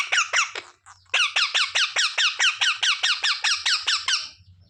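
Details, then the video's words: Pet parrot, taught to say "mummy papa", giving a fast run of harsh, identical squeaky notes, a few, a short gap, then about sixteen evenly repeated squawks before stopping. "मम्मी-पापा बोलने वाला सुपरस्टार मिट्ठू"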